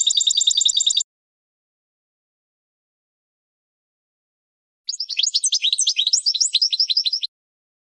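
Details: Goldfinch training song for young birds: a one-second buzzy trill, a long silence, then a rapid twittering phrase of sliding, tinkling notes lasting over two seconds, bright and high-pitched.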